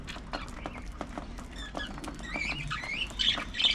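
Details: Budgerigars during early morning feeding time, heard over background clatter: scattered short squawks, then high, scratchy chirps clustering toward the end.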